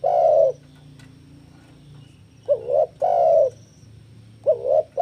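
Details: Spotted dove cooing, played to lure and train doves: a long hollow coo, then a short two-part note leading into another drawn-out coo, clear and loud over a faint low hum.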